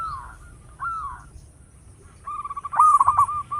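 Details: Local zebra dove with a big voice, used for luring: two soft rolling coos, a pause, then a loud run of rapid stuttering notes that settle into a steady trill.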